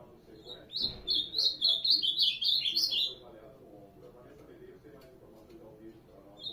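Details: A short burst of ultramarine grosbeak song, about two seconds of quick, bright, slurred notes, followed by near quiet with faint low background sound.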